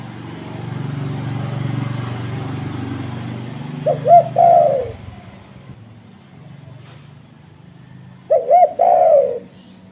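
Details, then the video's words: Spotted dove voice used for luring wild doves: a phrase of two short hooked coos and a long sliding coo, repeated about four seconds later, over a faint hum and a high steady whine. "Suara Derkuku Paling Di idamkan Pemikat Tekukur - Suara Raja Pikat Tekukur 2023"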